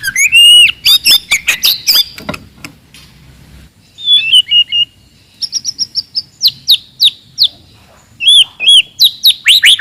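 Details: Forest-type white-rumped shama singing loud and aggressive to stir up rivals: a burst of quick varied notes, a pause, then clear high whistled phrases and repeated sharp downslurs with brief silences.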